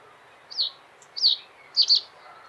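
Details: Common reed bunting song of three high elements: two falling chirps then a quick doubled note, with a faint tick between and soft background noise.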